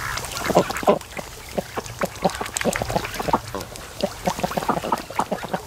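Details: Domestic ducks being raised, day 92, resting lazily in the afternoon sun at a creek mouth on a lake, mating between naps; a dense run of short, rough quacks repeats rapidly from several birds over low background rumble.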